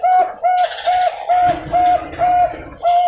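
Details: Captive Bangkok-type zebra dove from a bird farm in Pasuruan, East Java, Indonesia, hatched June 2022, prized for a thick voice and good rhythm: seven short, even, mellow coos, roughly two per second, with faint hissy background noise.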